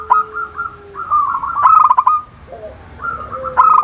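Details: Zebra dove calls intended to goad rival doves into answering: several quick bubbling coo phrases in succession, with a lower steady tone and a faint second voice in the background.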